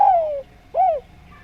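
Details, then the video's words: Actively singing Javan spotted dove giving a drawn-out coo that slides gently downward. After a pause comes a second, rounder coo that swells and then drops away. Faint low background rumble. "Derkuku Djawa Gacor Suara Nglaras"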